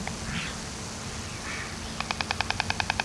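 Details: White storks bill clattering in Gelderland, Netherlands, September 2023: a fast, dry, wooden rattle of about ten clacks a second, after a couple of soft rushing sounds over a low hum.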